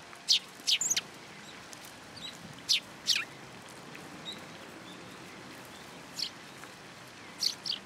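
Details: Sparrows arriving at a feeding platform at a Tenmangū shrine, 16 February 2023, to be given food. Sharp single and paired chirps come in scattered bursts with quiet gaps between them, over low outdoor ambient noise.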